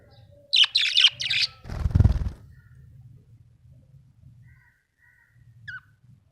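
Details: Happy budgerigar utters three fast, bright chirps in quick succession, followed by a loud rustling thump and a single late tweet in a quiet room.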